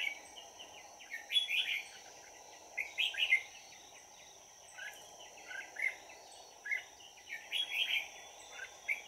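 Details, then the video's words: Decoy Red-whiskered bulbul at a bird trap on 22 December 2018. It sings almost continuously in jumbled, chirpy warbled phrases with brief gaps, over a steady shrill insect-like whine. "Bẫy chào mào Hàng chơi lăng xăng"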